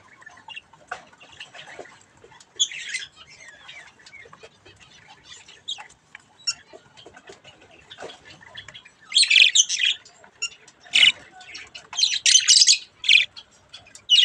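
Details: Young budgerigars at play with a mirror; soft, sparse chirps and scratchy chatter at first, then loud harsh squawks come in quick clusters during the last few seconds.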